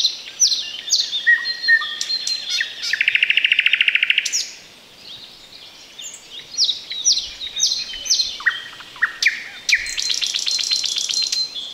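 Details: Thrush nightingale singing from bushes beside a road in the Chornobyl Exclusion Zone, recorded at close range while the bird stayed unseen. A loud, varied song of sharp whistled notes, a fast dry rattling trill, clicking phrases and a final run of rapidly repeated high notes, separated by short pauses.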